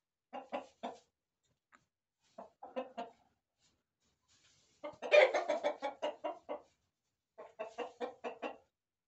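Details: Chickens, roosters and hens, in a corral: bursts of short harmonic clucks in groups of three to eight, separated by silent gaps, with one louder, denser cackling run in the middle.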